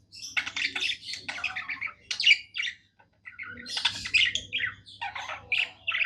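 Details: Happy pet budgies singing indoors, two bursts of rapid buzzy, chirping warble split by a short silent pause, with a faint low hum.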